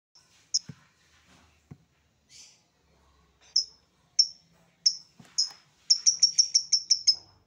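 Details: Songbird on a masteran training recording for songbirds, full tembakan istimewa style: sparse sharp high chirps at first, then a fast run of about ten bright, evenly spaced notes near the end; faint low knocks early on.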